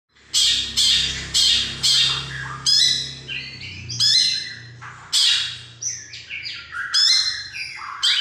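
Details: Long-tailed shrike singing in loud, harsh, squawky bursts with bright layered overtones, about a dozen phrases delivered in quick succession, some with short rising and falling slurs; a faint low hum runs underneath.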